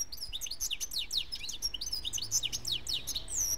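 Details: European goldfinch of German stock, bred in 2013 and praised as a very good singer: rapid liquid twitters and sharp downslurred chips packed tightly, with a few thin drawn-out whistles near the end.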